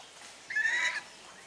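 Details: A domestic swan goose drying its body gives one half-second honk. It is nasal and slightly rising, over quiet background hiss.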